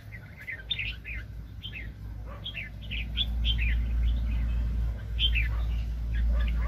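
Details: Red-whiskered bulbul, a very aggressive decoy bird for trapping, 2020: a string of short, jerky whistled notes and phrases, some rising and falling, heard over a strong low rumble like wind or an engine.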